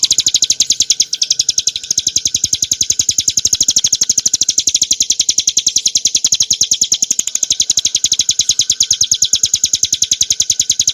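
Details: Song of the Bar-winged prinia, Prinia familiaris montana, used to train and provoke caged birds: a long, relentless series of sharp, high-pitched chirps in quick, regular succession over eleven seconds.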